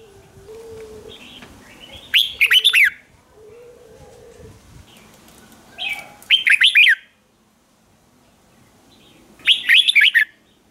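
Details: Red-whiskered bulbul song played as a lure for wild birds, in fighting, morning style: three short phrases of rapid, bright whistled notes spaced about four seconds apart, with a soft lower whistle and faint background hum between phrases.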